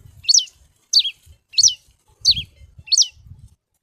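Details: Red-cowled cardinal, called cravina, repeating a sharp whistled phrase that drops steeply in pitch, five times at roughly even intervals. Soft low thumps sound between the notes.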